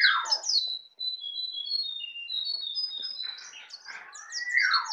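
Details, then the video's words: A native Bali white-eye, still young and learning to sing ngeplong, mixes slurred descending whistles with a long even series of high chips, closing in a dense twittering flourish. "Pleci Bali baru Belajar ngeplong"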